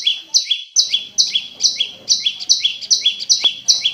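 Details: A long recording of a prinia, meant as a lure to get other prinias singing. It repeats sharp, high double chirps two or three times a second in a steady, insistent run, with faint background noise.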